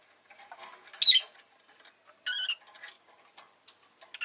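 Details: Rosy-faced lovebird chirping: a shrill, harsh squeak near one second, then a rasping banded call about 2.4 seconds in, with faint soft chatter between and a short shriek at the end.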